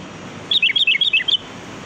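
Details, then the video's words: Wild sooty-headed bulbul, recorded as a lure sound: a quick burst of about nine sharp, high chirping notes tumbling up and down within under a second, then quiet hiss. "Suara pikat burung kutilang || Kutilang Gacor"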